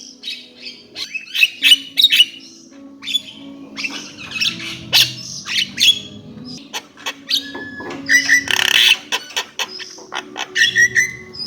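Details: Javan myna singing a loud, varied jumble of harsh squawks, sharp clicks, rasping bursts and short whistles, with a faint low hum underneath.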